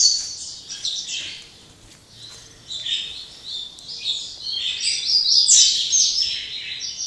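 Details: Double-collared seedeater in late afternoon after a full day of singing: high rapid chattering phrases with buzzy trills, a short quiet spell, then a stronger, brighter twittering passage.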